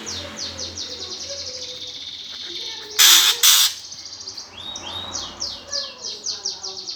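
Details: Greater green leafbird giving the 'gereja tarung' fighting song to provoke contest birds: steady high chattering of fast downslurred chirps, two loud harsh rasping bursts midway, then looping whistled sweeps.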